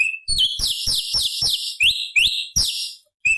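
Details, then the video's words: Forest-recorded sooty-headed bulbul (cucak cungkok), a high-octave variation used for tutoring songbirds. A thin whistle opens, then quick, bright, up-slurred notes rattle in a continuous stream, ending with another lone whistle. "Masteran Cucak Cungkok Istimewa ~ Suara Asli Hutan Materi Variasi Oktaf tinggi"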